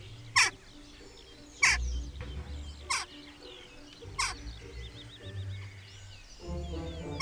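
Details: Jackdaw calls, likely recorded calls played back by researchers testing whether jackdaws learn trust from other birds; four sharp, clipped 'chack' calls about every second and a quarter over a low musical hum and faint chatter from other birds.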